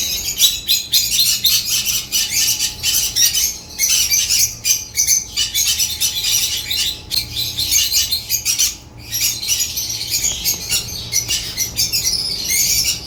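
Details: Noisy flock of African lovebirds singing: sharp high squeaks and twittering chirps in quick rhythmic bursts, broken by a few short pauses, continuing throughout.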